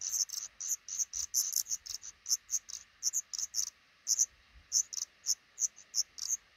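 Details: Black redstart family of a pair and five chicks nesting beneath the roof over a front door; steady, rapid series of high, piercing chips, about three or four per second, running through the whole stretch.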